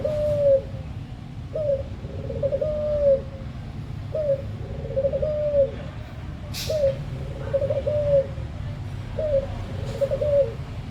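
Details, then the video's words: Puter dove song for stimulating captive doves to sing: four similar low coo phrases about every two and a half seconds, each a short upward note followed by a quavering, slowly falling tail, with a steady background hum. "Suara Burung Puter | Sound of Puter Bird"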